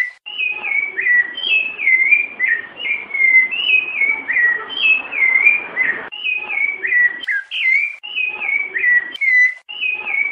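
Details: A rufous-bellied thrush sings its 'Piedade' song, used to train young birds: a steady run of clear, fluty whistled phrases, each a short rising-and-falling figure, repeated about twice a second with brief breaks.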